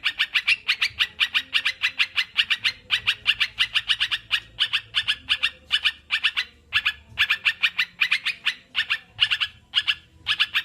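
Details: Sooty-headed bulbuls chirping almost without pause: a dense stream of short, bright, buzzy notes, with a steady low hum underneath.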